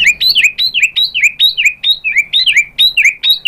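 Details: White-rumped shama, stirred up and replying to a lure song, repeating one sharp two-part chirp, a high note dropping into a lower one, about four times a second with hardly a pause.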